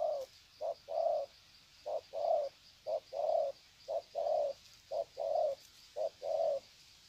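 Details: Spotted doves in the wild at Sê San, 21 February 2020, greeting each other: regular phrases of a short coo followed by a longer, fuller coo, about one phrase per second, over light background hiss.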